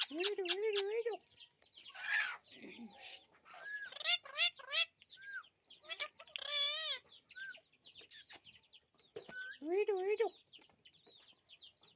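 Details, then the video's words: Green rose-ringed parakeet gives quick chirps, scratchy squawks and wavering warbled notes in uneven bursts, some calls rising then dipping, with brief pauses between phrases and little background noise. "Amazing Parrot Chirping Sounds"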